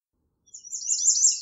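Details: High, thin, rapid notes from an American redstart, part of its varied song, a brief twittering phrase rising in loudness that is cut off abruptly, with no other sounds.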